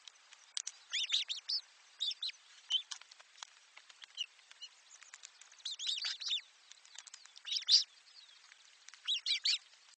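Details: Chicks in a nest receiving food from parent birds, a busy run of high, scratchy chirps and squeaks repeating in irregular bursts about every second.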